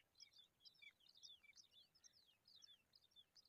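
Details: Baby pipits being fed a worm beg with a rapid stream of thin, high, sharply falling chirps, several each second, overlapping one another against faint background hiss.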